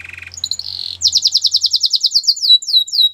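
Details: Song of a Belgian canary used for training: a low chattering trill and short whistles open into a fast, bright series of falling chirps.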